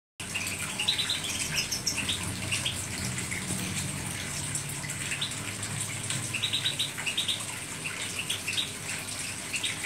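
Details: European goldfinch singing: quick bright twittering chirps and short trills in bursts, tight clusters near 0.8–2 s and 6.5–7.5 s, over a steady rushing hiss like running water and a low hum.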